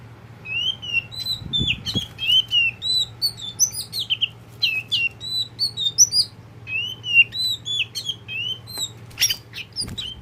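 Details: Tame pet white-rumped oriental magpie-robin (kacer poci) kept by its owner, singing a varied series of short whistled and slurred notes, mostly high and rising or falling, with brief pauses; faint wing flutter and low background hum.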